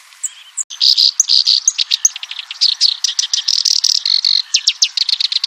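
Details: Loud black-browed reed warbler song after a short click: bursts of grating, buzzy notes and quick high chips follow one another rapidly, forming a dense, varied chatter.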